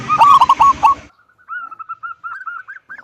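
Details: Local zebra dove with a big voice in the kung style, singing to lure other doves into song: a loud burst of quick cooing notes, then a quieter, wavering string of short repeated notes.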